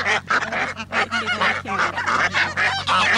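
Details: A flock of waterbirds, geese, ducks and coots, at a lagoon in Lo Barnechea, Chile, honks together, nasal goose-like calls overlapping in a dense, unbroken chorus over a steady low hum.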